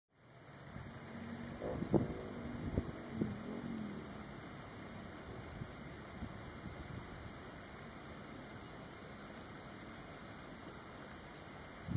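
Steady low rumble of wind and a distant engine, with a few soft knocks early on and no animal voice.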